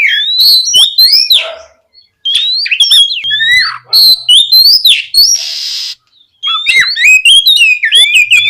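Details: Gacor ngeplong song of an oriental magpie-robin, played to stir untrained birds into replying. A dense, varied stream of sharp whistles, upslurred notes and quick chips runs in rapid bursts broken by two brief pauses, with one harsh, noisy note midway.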